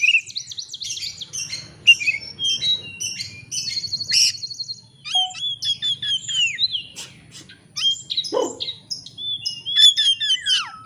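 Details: Oriental magpie-robin singing in an excited state and seeking a rival, used as a lure to make other birds sing in full: rich, varied whistles, trills and buzzy notes in bursts, with short pauses and a faint low hum beneath.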